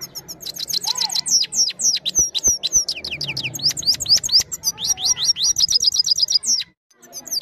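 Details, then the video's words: European goldfinch, a trained singer recorded on a phone, delivering a continuous twittering song of rapid sharp rising and falling chirps, some bursts of trills, with faint low background noise. "Gold finch clean voice recording time full singing on my phone camera"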